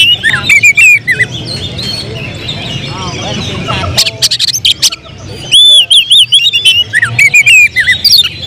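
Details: Oriental magpie-robin (kacer), a caged contest prospect, delivers rapid high whistled and chattering phrases with sharp slurred notes, loudest in the second half, with a person talking in the background.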